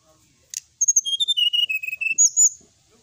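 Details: Song of a brown-chested jungle flycatcher, used to provoke rivals into responding: one sharp click, then a string of bright whistled notes sliding down the scale, ending with a loud, high, drawn-out whistle.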